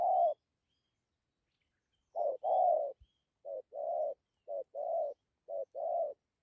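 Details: Spotted dove of 'thổ' type heard in 'gù' cooing with 'dặm': one opening coo, a two-second silence, then a run of soft, low short-long coo pairs at an even pace.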